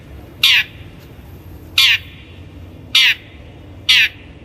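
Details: Long-tailed shrike (cendet) lure for training birds: four grating, nasal squawks spaced one to one and a half seconds apart, harsh and broadband, with near silence between them.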